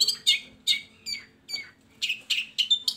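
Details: Long-tailed shrike song used to provoke silent shrikes into singing: spaced, harsh squeaky notes and downslurred whistles, then a quicker cluster of scratchy calls.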